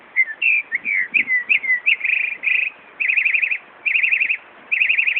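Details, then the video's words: A northern mockingbird imitating a car alarm at Buckland Park, Brighton, New York, opens with varied slurred whistles and then repeats rapid pulsing trills in bursts about every second. "Northern Mockingbird mimicking car alarm"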